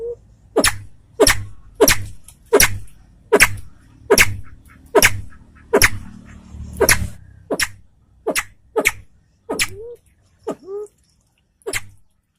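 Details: Salvadori's pheasant with white tail, from Aceh, delivering a steady series of about fifteen sharp whip-like clicks, a little under one per second, ending with two short rising nasal notes and then quiet.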